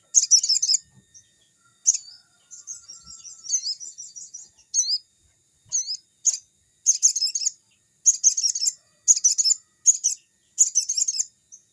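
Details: Sogon (crimson sunbird) in energetic forest-like song for training young birds: very high twittering bursts, a sustained buzzy trill, then chattering phrases repeated roughly every second.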